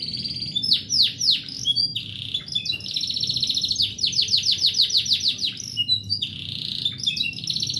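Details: Morning song of an AFS canary kept at home: varied high phrases of sweeping whistled notes and fast rolling trills repeated several times a second, with a faint background hum.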